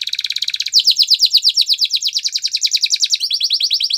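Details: Training song of a Gloster canary, a fast high chattering trill throughout, shifting through several tours: a quick dry rattle, then a stronger rolling series of repeated notes, then a brighter rapid passage near the end, all clean without background noise.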